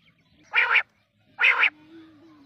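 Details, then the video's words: Quail giving two harsh, raspy, short buzzy bursts about a second apart over a faint low hum; quail calling. "Quail calling"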